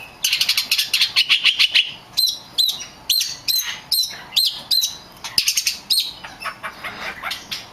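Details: Oriental magpie-robin lure song to draw replies from other magpie-robins: a fast rattling trill, then repeated sharp rising whistles roughly twice a second, ending in another buzzy rattle.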